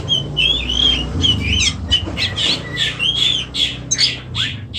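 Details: Oriental magpie-robin, Indonesia, mixing clear whistled notes with buzzy, grating squawks in a fast, irregular stream over a constant low hum.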